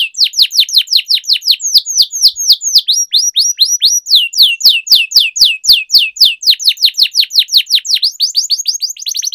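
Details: A captive canary sings a long rolling training song of fast, high, downward-sweeping notes, about two phrases per second, in long unbroken runs with no other sounds.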